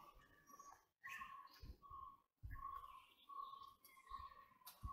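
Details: White-bellied woodpecker giving clear, even notes near one pitch, spaced about every second and a half, with brief silent gaps and rustling noise between calls.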